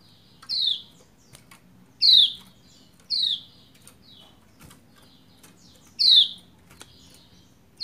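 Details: Female Lombok white-eye calling so the male sings sooner: five or six rasping chirps that drop in pitch, spaced one to three seconds apart, with faint clicks between.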